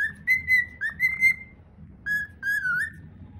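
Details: A cockatiel's original whistled song, clear level notes in two short bursts with one dipping whistle, heard over a steady low background hum.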